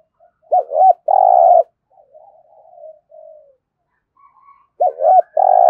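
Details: Competition cooing from a spotted dove in Đồng Nai. Two strong phrases, each with paired looped notes and a long, harsh coo, sit about four seconds apart, with quieter wavering coos between them.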